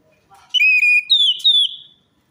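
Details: Orange-headed thrush song played to coax a reluctant or stressed bird into singing: loud pure whistles, a lower sustained note followed by higher slurred phrases, with a faint soft sound just before.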